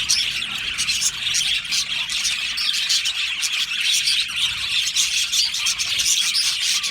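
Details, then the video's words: Budgie colony in an aviary, Australian parakeets keeping up a loud, unbroken chattering song of rapid high chirps, squeaks and warbled notes from many birds at once. "Budgie singing and chirping sounds"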